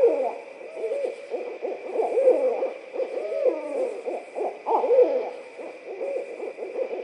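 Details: Pair of barred owls calling to each other near Florida's Suwannee River State Park; overlapping raucous cackles and sliding hoots run continuously, loud throughout, with a few wavering upslurred notes and a steady high background hum.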